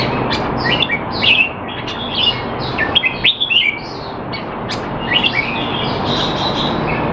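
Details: Caged Red-whiskered bulbul kept in Singapore, in a training session to keep it sharp while out of form, recorded 25 December 2020; short bright warbled phrases come in scattered bursts over steady background hiss.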